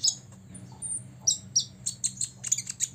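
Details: An olive-backed sunbird of six years singing to make rivals angry: a few thin high whistles, then loud sharp chirps quickening into a rapid burst of tweets, with a faint low hum.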